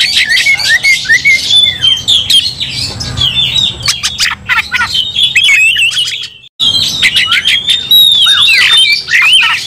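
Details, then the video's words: Angry Oriental magpie-robin singing its fighting song, drawing other magpie-robins into aggression: dense stream of varied whistles and scratchy chatter, briefly cut off near six and a half seconds, then resuming just as intensely. "Kacer langsung TARUNG bongkar emosi bikin kacer lain ikut dongkrak amarah kesurupan"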